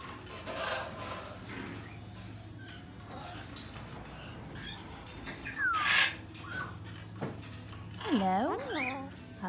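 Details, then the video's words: Umbrella cockatoo at a pet store, which habitually greets visitors, speaks in a nasal, wavering voice, giving a few short mimicked words such as "hello" and a sliding screechy phrase near the end, over steady background music. "Talking Parrots"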